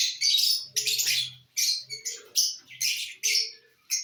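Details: Feeding lovebirds with corn give loud continuous harsh chatter, rasping squawks repeated about every half second, over a soft low hum and faint mid-pitched tones.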